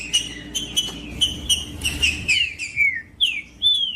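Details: Green-winged saltator singing in 'macheando' style, meant to warm up and provoke another bird: clear whistled notes, several sliding downward, delivered in a quick uneven series with a soft background hum.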